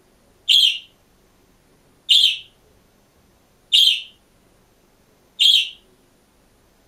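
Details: Green pet budgerigar alone in a cage, giving identical short, bright chirps with a harsh upper edge, repeated regularly about every one and a half seconds; no other sounds.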